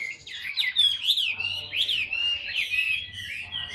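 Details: Caged Chinese hwamei, a large tame bird, singing a rich varied phrase of loud slurred whistles and rising-falling notes, densely delivered with little pause, faint room hum underneath.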